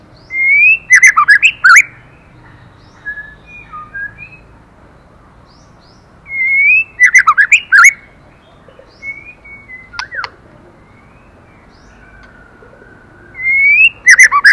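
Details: Song of a female white-rumped shama stimulating the male. Three loud phrases of rising whistles burst into dense rapid warbles, with softer scattered notes and a sharp click between them.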